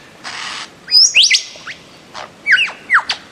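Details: Bird-of-paradise with a short raspy buzz followed by quick whistled upslurs and sharp squeaky notes in two brief bursts.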